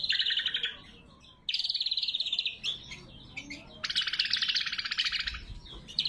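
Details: Loud, clear song of a greater green leafbird, used as a lure and training recording: a harsh, buzzy rattle, a rapid, even trill, mixed short notes, then a broad, grating, rasping burst.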